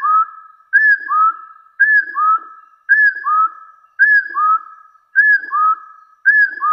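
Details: Hill partridge in a fighting context giving clear rising whistles in pairs, about one phrase every second, steady and insistent; otherwise quiet.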